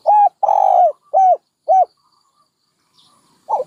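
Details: Low, soft dove cooing: a short hoot, a long wavering coo, two clipped arched notes, a pause, then the stuttered start of the next phrase.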